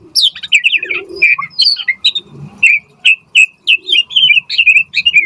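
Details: Murai batu, the white-rumped shama, singing energetically for use as a lure and tutor: quick run of slurred, downward whistles, then evenly spaced sharp chirps and short twittering phrases.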